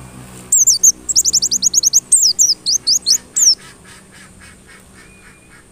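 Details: White-eye provocation song meant to make other white-eyes sing insistently, opening with a fast run of high, thin, down-slurred whistles that slows into spaced separate notes, then fades to quiet hiss near the end.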